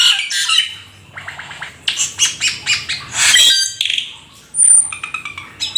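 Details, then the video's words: Black-winged starling in full isian song: harsh grating bursts, a rapid clicking rattle, rough chatter, then a long thin high whistle and a few scattered short notes. "Jalak Keling gacor full isian"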